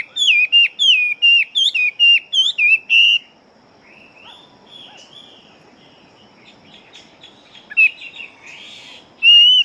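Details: A big-bodied Chinese hwamei kept as a fighting bird opens with a quick string of loud, bouncing whistled notes. The song then drops to soft, scattered warbles and ends with a final bright whistle.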